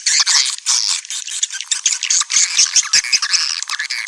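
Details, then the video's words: Luring sound for swiftlets: crowded high twittering and squeaky chirps pulsing in quick waves, with faint clicking ticks and short sharp peeps sprinkled through the chatter. "Panggil burung walet suara panggil"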